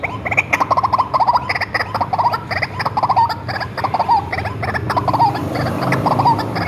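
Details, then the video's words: White-breasted waterhen reared by hand from a chick and kept tame, recorded as lure material: loud, harsh croaking and clucking pulses in rapid runs, rising in intensity, with short squeaky notes repeated roughly once a second. "SUARA BURUNG RUAK-RUAK ASLI RAWATAN DARI KECIL"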